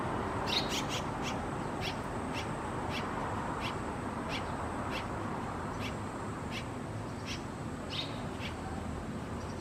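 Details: Red-rumped Swallow of a pair nesting at a house veranda, with a run of quick, sharp ticking chirps repeated roughly every half second for nearly ten seconds, against a continuous hum of background noise.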